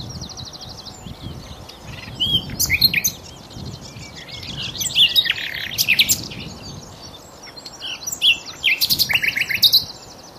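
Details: Nightingale song from Cowpen Bewley, sound-enhanced recording: varied phrases of rapid rattles, sharp clicks and bright slurred notes, ending in a quick run of repeated pulsed notes, over constant low rumbling background noise.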